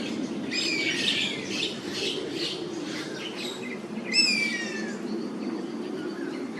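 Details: A perched Oriental honey buzzard in Singapore, a winter migrant, calls repeatedly in high thin whistles, protesting Oriental Pied Hornbills invading its roost; its circling companion protests in the background, with harsh notes and low rumble.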